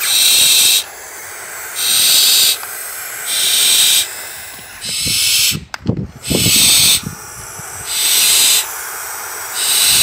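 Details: Young barn owl chicks, raised in care before release to the wild, give long, harsh, rasping hisses about a second each. They repeat roughly every one and a half seconds, with a few dull knocks midway.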